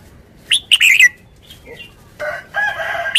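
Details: Red-whiskered bulbul giving one quick warbled phrase of bubbling whistled notes, followed by a few thin notes, then a longer harsh, nasal, buzzy sound to the end.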